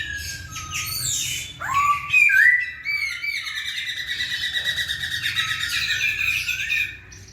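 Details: Masked laughingthrush in energetic song, played to coax lazy birds into singing: a noisy opening, then bright upward-sliding whistles followed by a long, fast, dense chattering trill, with a low hum throughout.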